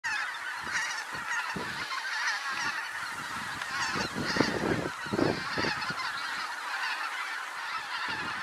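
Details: Hundreds of geese flying in over trees to land on a pasture, a common sight in this area; dense overlapping honking from the large flock forms a continuous chorus, with louder nasal honks rising around four to five seconds.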